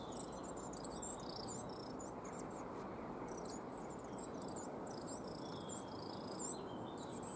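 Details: Coal tit in a yew tree in a Cambridge, UK yard on 12 March making a strange sound, very high, thin, wavering notes in short repeated bursts over steady wind or traffic rush; a sparrowhawk then landed nearby.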